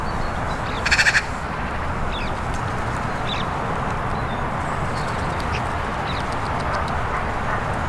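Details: Carrion crow calling in a park where several territories meet: a single brief, harsh, rapidly pulsed caw near the start, then steady low background rumble with faint distant chirps.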